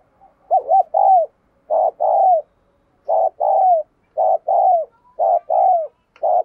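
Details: Spotted dove decoy bird in steady cooing bout to prompt others to call: about seven low two-part phrases in six seconds, each a short note then a longer falling coo, evenly spaced.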